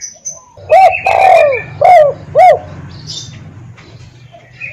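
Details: Spotted dove kept as a decoy bird, cooing: a short arched note, then a long drawn, falling coo, then two more short arched coos about half a second apart; faint high chirps of other birds and a low hum behind.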